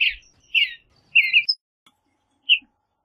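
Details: Western bluebird uttering a burst of husky, slightly burry chirps, two close together then a final brief note, with nothing else audible.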